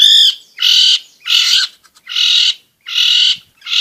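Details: Harsh song of a long-tailed shrike, used to provoke quiet birds into singing and as a tutor for young birds. Broad, grating half-second blasts repeat at an even pace, with short gaps between them.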